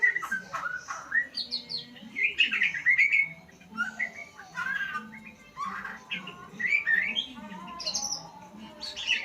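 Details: White-rumped shama learning sounds, delivering a varied song of loud whistled and chattering phrases that jump between high and mid pitches in quick bursts, with a soft low hum underneath.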